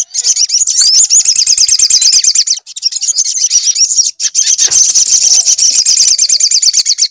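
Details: Sustained, very high and rapid sunbird twittering, played as a lure to make a bird sing, running in three long bursts separated by brief pauses, each packed with fast, sweeping repeated notes.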